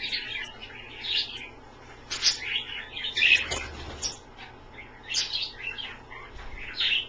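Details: Captive Australian parrots bathing in a water-filled pie dish at home; bright high chirps and twittering notes come in irregular bursts every second or so, with some soft low rustling.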